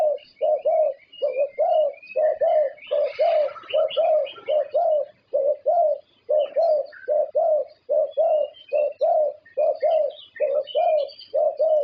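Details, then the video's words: Thai contest-winning zebra dove cooing on and on: soft, low, rounded notes repeated a little faster than once a second, grouped loosely in twos and threes, while other small birds twitter faintly in the background. "Perkutut juara Thailand"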